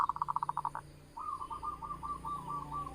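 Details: Local Javanese zebra dove lure song used for trapping birds: a quick run of short cooing pulses, a pause, then a rolling, purring trill held steady to the end over a low background hum.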